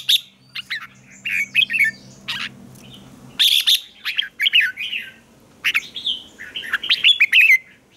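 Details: Red-whiskered bulbul competitive song used in training: many short, bright warbled phrases with sharp upslurs, repeated every second or so, with a low droning hum early on.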